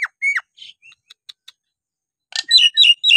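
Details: Nias hill myna in song, played to provoke lazy birds into singing: a loud falling whistle, soft clicks, then a burst of harsh, buzzy notes with bright whistled phrases repeated quickly.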